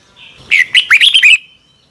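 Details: Red-whiskered bulbul morning song in the double-twist voice style, used as a training lure: one quick phrase of five or six bright, warbled, slurred whistles, each note bending down, after a faint thin lead-in tone.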